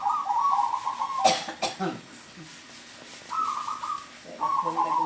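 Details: Zebra dove in a house yard giving rapid, trilled cooing phrases that run level then slightly fall. A short, loud, sharp noise interrupts early on, followed by a quiet gap before the dove resumes twice.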